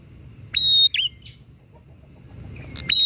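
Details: Bar-winged prinia song in a provoking back-and-forth exchange; one full phrase of a clicky start, held high whistle and twisting drop, a soft trailing chip, then a second phrase beginning at the end.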